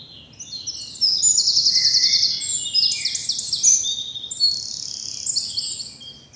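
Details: Early-morning spring birdsong in bluebell woods in the South of England, sunlit: bright, high-pitched rapid trills and buzzy phrases, several birds overlapping in a lively dawn chorus over a soft background hush.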